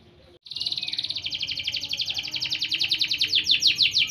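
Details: Canary sung for training, champion-style: after a brief pause, a long rapid rolling trill of repeated high notes that grows louder and slightly faster toward the end, with faint low background hum.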